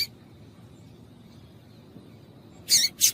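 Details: Calls of a female yellow-bellied seedeater, used to stimulate males: after a quiet stretch, two quick, bright, high-pitched chips close together near the end.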